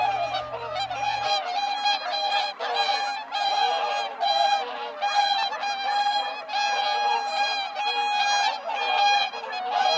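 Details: Whooper swans and Greater White-fronted Geese on migration, passing through farmland near Hakodate, south Hokkaido, in March, call without pause: loud, nasal, bugling honks overlap and repeat more than once a second in a steady, clamorous chorus.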